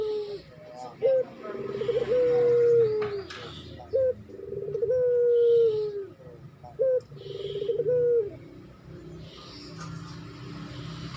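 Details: A dove in breeding condition calling for a female gives low, throaty coos in three phrases, each a short note then a long, drawn-out one, about every three seconds over a faint background hum.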